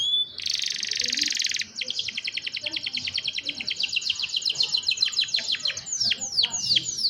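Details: Young canaries in full song for training other canaries, captured by cellphone: a dense buzz gives way to a long, steady, rapidly repeated trill that breaks into falling slurred notes at the end.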